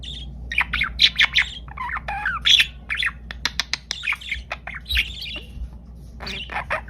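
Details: Budgerigars (Melopsittacus undulatus) chatter busily, with quick warbles, squeaks and harsh squawks overlapping one another.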